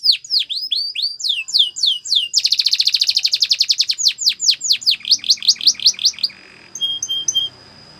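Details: Canary training song with spaced descending whistled sweeps speeding into a dense, rapid rattling trill, then slower falling notes again, ending with a few short pips and quiet.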